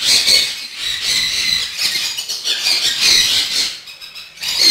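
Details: Sun conures on a bird-breeding farm give harsh, grating screeches in loud overlapping bursts.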